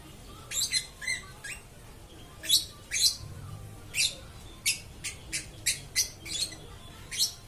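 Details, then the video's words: A lovebird singing on and on: a long series of sharp, shrill chirps and squeaky notes in irregular bursts, quickening toward the end into a rapid chattering sequence. "BURUNG LOVE BIRD TIDAK BERHENTI BERKICAU"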